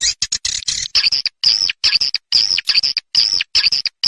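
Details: Short run of swiftlet calls from the SP. KADITA farmers' lure track: choppy, high squeaky chirps broken by short silences, some notes with a thin whistled upper tone.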